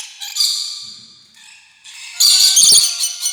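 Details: Rainbow lorikeet chatter: harsh, broadband screeching bursts, with a quieter thin whistled note before a loud grating screech that fills the second half.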